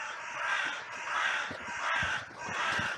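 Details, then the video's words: Many crows in a cemetery on a sunny day, a massive outcry after two crows fought, with others rushing in: overlapping harsh caws form a near-continuous, pulsing chorus with several loud swells. "Crows and Crow Sounds"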